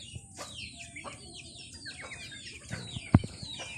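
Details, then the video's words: Several chickens feeding, giving a stream of thin, falling peeps and short chirps, broken by a few soft taps and one loud knock near the end. "Funny Chicken Eating || Funny Chicken Sound"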